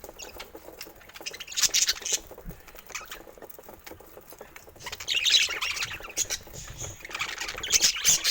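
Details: Budgerigars, kept as pets, giving bursts of quick warbling, chirpy chatter in three short spells over a scratchy, rustling background.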